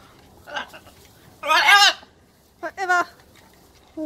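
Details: Blue-and-gold macaw at play with its owner, talking and laughing in harsh, raspy bursts: a loud rough squawk, then a shorter two-part harmonic call and a brief final note.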